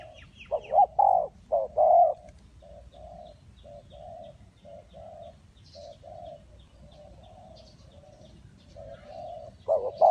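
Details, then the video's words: Low, soft cooing of a spotted dove from Ninh Thuận during bird trapping: a few loud rounded coos open and close the stretch, with quieter, evenly spaced hoots between them and light background noise. "Cu gáy Ninh Thuận"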